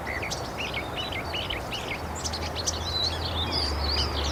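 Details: Northern mockingbird song of rapidly repeated warbled, up-and-down phrases, then thinner whistled notes toward the end, heard against loud steady background rumble.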